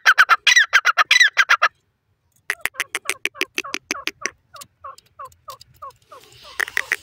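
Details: Francolin (teetar) calling with a loud, rasping run of rapid notes, a brief pause, then a long series of shorter clipped notes that soften into quick downslurred chirps, with a final harsh flourish.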